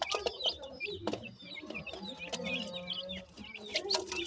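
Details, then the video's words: Grey francolin chicks giving a stream of thin, high peeps that slur downward, several overlapping, with soft clicks and a faint low hum underneath. "grey francolin chicks speech,sweet voice of a baby pheasant"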